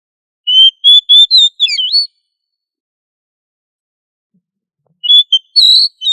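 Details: Vigorously singing oriental magpie-robin whose song serves to train other magpie-robins to sing loudly; a rapid string of pure whistles ending in twisting notes, a long pause, then another whistled burst rising higher.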